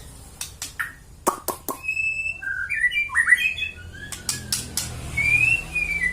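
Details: White-rumped shama giving mimicked song phrases: sharp clicks and snapping notes first, then sustained whistles and warbled chirps, a rising-falling whistle near the end, with faint low background rumble.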